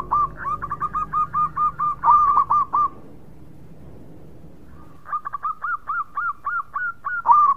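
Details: Local zebra dove in energetic song: a long string of evenly repeated soft coos, a silent gap, then another accelerating phrase ending on a louder note.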